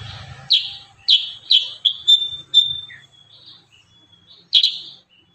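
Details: Kurincang singing in the dense 'tembakan rapat' style, recorded as a tutor song: a burst of five loud, sharp, downslurred high notes ending in a thin fading whistle, then one more note after a pause.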